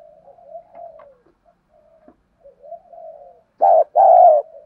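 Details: Decoy spotted dove, voice style 'đồng pha thổ', calling to incite wild males: quiet wavering murmured coos for several seconds, ending in one loud short-then-long coo pair.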